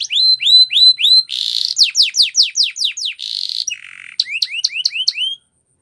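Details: Canary training song, clean and close: repeated upslurred whistles, a buzzy roll, fast descending sweeps, a lower buzzy phrase, then more rising whistled notes before silence.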